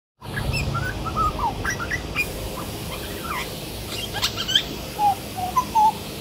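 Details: A grey butcherbird, singing for five or ten minutes, gives clear, mellow piping notes with slurred rising and falling phrases, mixed with softer chirps, over a steady background hiss.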